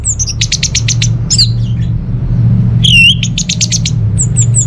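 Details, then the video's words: Orange-headed thrush singing persistently. Fast series of high stuttering notes alternate with slurred whistles, including a loud wavering whistle midway, over a strong steady low hum. "ANIS MERAH Mau Nyaut Gacor"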